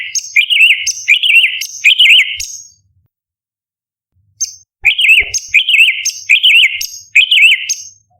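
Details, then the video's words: Orange-bellied leafbird, or cucak cungkok, pouring out 'tembakan' song recorded as a master for competition songbirds: four quick high-note-and-warble phrases, a pause of about two seconds, then five more in rapid succession, with soft clicks. "Cucak Cungkok Istimewa ~ Tembakan Istimewa Masteran Burung Lomba - Orange Beliied Leafbird"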